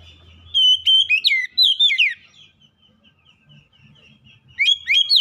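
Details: Lure song of a kacer, used to spur silent birds into singing, with a rapid string of clear whistled notes that drop in pitch, a quiet gap with faint low rumbling, then a fresh burst.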